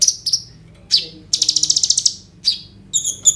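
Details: Kolibri ninja sunbird singing a rolling, phrase-filled song captured on a phone: thin high notes give way to a fast, even buzzy trill lasting nearly a second, followed by separate sharp chirps.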